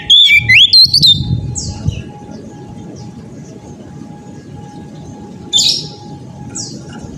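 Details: Oriental magpie-robin singing in the persistent ngeplong style: a burst of loud, clear whistled notes sliding up and down for about two seconds, then near silence with two short whistled flourishes, over a low rumbling background and a steady hum.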